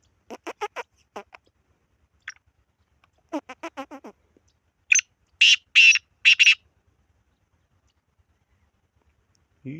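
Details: Black francolin sequence opening with softer, rapid clucking notes in short bursts, then four loud, harsh, grating notes in a steady run, with a brief low sound at the end.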